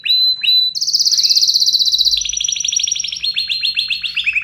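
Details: Excited canary singing vigorously: two short bright whistled notes, then a long rapid rolling trill, a steady series of repeated notes, and a final run of quick descending chips, all loud and high-pitched.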